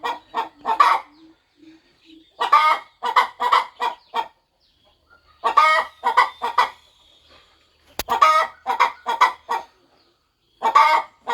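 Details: Mother hen on her farm nest getting ready for her eggs to hatch, clucking; quick runs of four to six throaty clucks alternate with quieter low murmurs, building into longer rapid sequences.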